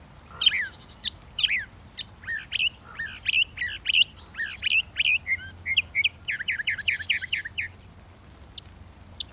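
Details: Northern mockingbird singing a varied, fast run of whistled and chirpy phrases, ending in a quick series of about eight similar rising notes, against a quiet background.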